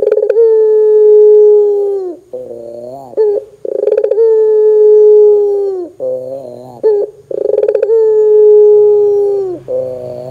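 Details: Barbary dove calling strongly to set other doves calling: three long, steady, humming coos, each opening with a rolling trill and dropping at the close, spaced about every three and a half seconds, with softer wavering notes between.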